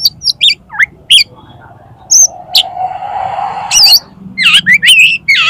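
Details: Oriental magpie-robin song for tutoring and stirring contest birds into singing: loud, varied bursts of whistled, slurred and chattering notes, some rising, some falling, separated by short pauses, with a faint low droning noise underneath in the middle.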